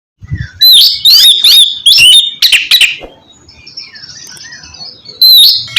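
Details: Oriental magpie-robin song played to coax a reluctant bird into singing: loud whistled and scratchy phrases with sweeping, slurred notes in quick bursts, separated by short pauses and a softer, thin warbling stretch.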